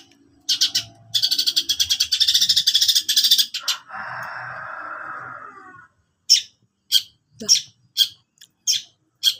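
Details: Long-tailed shrike singing actively: a fast burst of harsh rasping notes, then a long buzzy, hissing note, then a series of short, sharp chips spaced about half a second apart.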